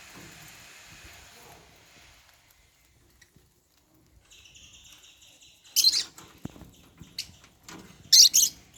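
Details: African lovebirds at meal time, eating holy basil in a cage; after a quiet stretch, two short shrill high chirp bursts come several seconds apart, with faint rustling between them.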